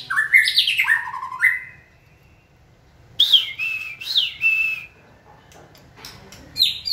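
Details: White-rumped shama being trained to sing when its trainer gives a signal; rich varied song of bouncing whistled notes and quick trills in two bursts separated by a pause.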